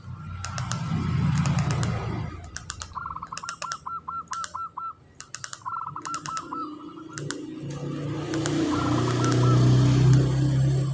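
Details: Local zebra dove in breeding condition, kantong semar ngretek style song: rapid rattling trills of short repeated notes near one pitch, broken into several bursts with pauses, over low rumbling background noise.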